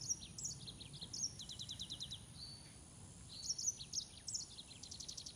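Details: Green singing finch (Canario de Mozambique) singing two phrases of quick high chirps and rattling trills separated by a short gap, each bright and rapidly repeated, with steady background hiss.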